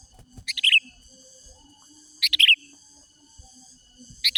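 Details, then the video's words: Sooty-headed bulbul singing to draw rival bulbuls: chattering phrases of bubbly, dropping notes, two full ones and a third beginning, under two seconds apart, against a steady high hum and faint clicks. "Mikat Kicau Manai Menari Mencaru Lawan Kutilang Liar"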